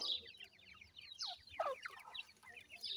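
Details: Grey francolin (dakhni teetar) chicks calling near their parent pair: rapid strings of shrill descending peeps, with a few lower, louder swooping notes mid-clip.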